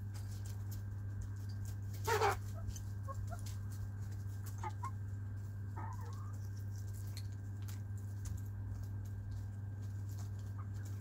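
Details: Hens and a rooster in their coop, playing, eating and clucking: a loud broadband cluck near two seconds, then a few short soft clucks later, over a steady low hum.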